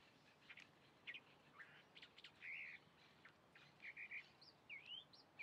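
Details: Chalk-browed mockingbird singing a varied run of short notes: buzzy chirps, brief whistles and quick trilled bits, mostly mid to high pitched and irregularly spaced, ending in rising slurred whistles over faint background hiss.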